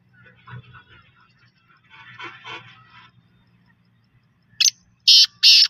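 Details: Black francolin with a local name meaning native black francolin: three loud, harsh, clipped notes in quick succession near the end, preceded by faint murmuring and low background noise.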